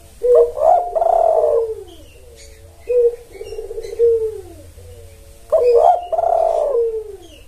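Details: Spotted dove lure call used to draw in males: low hoarse cooing phrases, a quick double note rising into a longer falling drawn-out coo, heard twice with a pause between, with faint bird chirps in the background.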